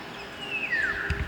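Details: A Philippine oriole, an endemic species, gives a single clear, fluty whistle that slides downward, then a soft tap, over a faint low rumble; the bird was spotted in a city in the Philippines.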